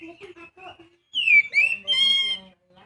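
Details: Young Oriental magpie-robin gives a loud downward-slurred whistle, a rising whistle and a long, steady, reedy note, preceded by quieter low, nasal sounds.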